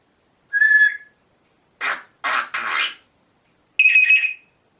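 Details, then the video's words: A pet African grey parrot, indoors, imitating fart noises. A clear whistle is followed by three rough, spluttering bursts, then a second wavering whistle. "African grey parrot talking making Fart noise's"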